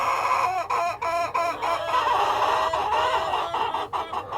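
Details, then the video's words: Hens and a cockerel cluck in quick bursts, stacked harmonic notes repeated about three times a second over a constant murmur of other birds in the flock. "World of Sound: (Cockerel and Hens)"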